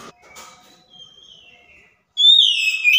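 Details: Oriental magpie-robin song used as a lure to provoke a silent, stressed bird into answering: faint scratchy notes and a soft falling whistle, then a loud, high, sustained whistle with a wavering, descending end.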